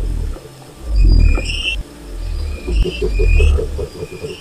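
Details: Wild cassowary producing low, rumbling booms, one early and a longer rolling one later, with short pulsed notes and high whistled bird calls repeating behind them.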